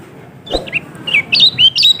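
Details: Kecial kuning, a yellow-throated white-eye from Lombok, heard as a lure to prompt a lazy bird to sing. Sparse, high, thin chirps and short sliding whistles build into a quicker twittering run. A dull thump comes near the start.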